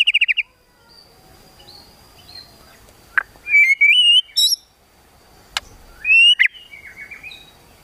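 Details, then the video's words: White-rumped shama in a 'kretekan tembakan' song meant to provoke emotion: scattered sharp whistled sweeps and loud buzzy bursts, with long quiet gaps and a steady faint high tone behind. "KRETEKAN TEMBAKAN MURAI BATU MEMANCING EMOSI"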